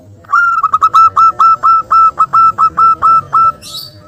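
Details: Local wild-type zebra dove calling as a lure to provoke a rival; a steady run of about fourteen loud, clear whistled coo notes on one pitch, quick stuttered notes at the start, ending with a brief high chirp.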